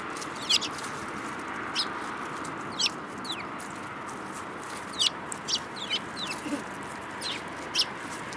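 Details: Sparrows together in March 2018: a steady scatter of crisp, high chirps every second or so, some in quick pairs, over a soft steady background noise.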